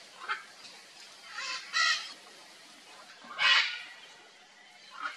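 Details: Red-and-green macaw during nesting, uttering a few spaced, hoarse squawks, the strongest two about two seconds apart, with short fainter calls at the start and end against quiet outdoor background.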